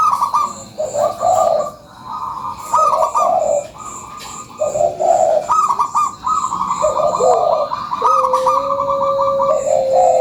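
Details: Local zebra dove (perkutut lokal) giving a lively lure call: rolling, bubbling coo phrases repeated in bursts, with a steadier drawn-out tone near the end and a faint high hum behind.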